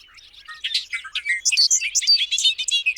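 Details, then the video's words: Lively bird song of quick, varied notes: high chirps, slurred whistles and rapid twittering tumble over each other for three seconds without pause. "CANTOS DE PÁSSAROS 04"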